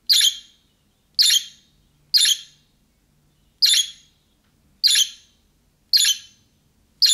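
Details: Budgerigar giving chick-style calling that other budgies answer at once: short, sharp, scratchy chirps repeated about once a second in an uneven rhythm, with silence between, in a quiet room.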